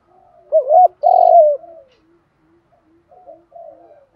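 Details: Cooing of male and female spotted doves, used for training decoy birds: one loud phrase of a quick rising-falling double note and a long downslurred coo, followed by quieter, softer coos.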